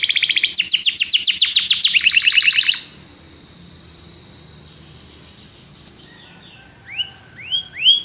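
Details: Belgian canary singing: a fast series of rapid high trills and repeated notes for nearly three seconds, then a quiet pause and three separate rising whistled notes near the end.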